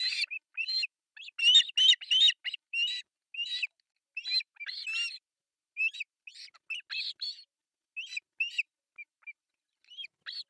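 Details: Three osprey chicks at an artificial nest in Pohjois Satakunta, Finland, begging during breakfast feeding on July 1, 2024, on a nest camera: rapid, high, squeaky chirps in dense bursts, then sparser single peeps.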